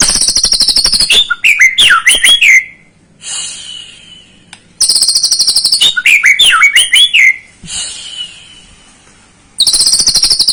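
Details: White-rumped shama song played to provoke a young bird into singing: loud repeated blocks of rapid high chattering and whistled slurs, interrupted by pauses holding a long high tone, with the pattern looping twice.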